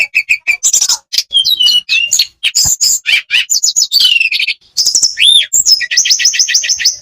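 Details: Varied song of an Olive-backed tailorbird used to get lazy birds singing: quick ticks, whistled slurs, an arched double whistle, then a rapid run of about eight rising chirps at the close.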